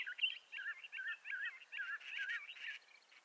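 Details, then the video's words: Bendire's thrasher delivering a string of short, looping warbled phrases in even succession, the final notes fading with faint chirps behind. "Bendire's Thrasher Bird Song"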